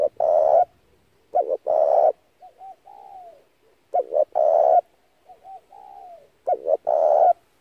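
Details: Spotted dove used as a lure for trapping doves, giving loud coos: a quick double note then a long rough coo, followed by softer falling notes, repeated about every two and a half seconds.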